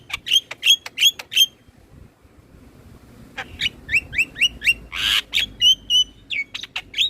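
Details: Black-winged myna song used as a lure to stimulate captive birds to sing: a run of four sharp whistled notes, a brief pause, then a faster series of clipped chirps, whistles and a harsh burst.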